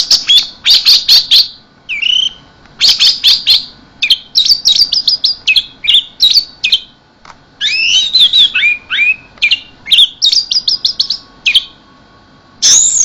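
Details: Anis merah, or orange-headed thrush, delivering a long varied song in the 'keserr' style, with quick stuttering chirp bursts alternating with slurred whistles and descending notes, nearly continuous for thirteen seconds over a low steady hum.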